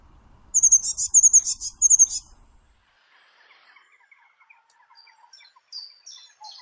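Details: Eurasian blue tit (Cyanistes caeruleus), song.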